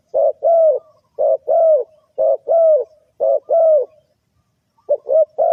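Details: Lure call of a spotted dove for bird trapping: steady low coos in pairs, a short note then a long one, about once per second, ending in quick clipped notes.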